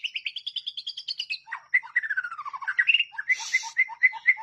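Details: Tutor song of a white-rumped shama of the kind favoured by contest judges: a fast series of rising, repeated chip notes, then a descending run of clear whistles, ending in a harsh burst and evenly paced whistled notes.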